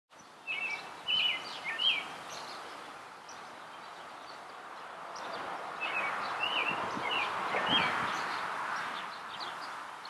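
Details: American robin singing in a backyard tree: short, clear, whistled phrases rising and falling in quick bursts, over a steady rush of wind or rustling leaves.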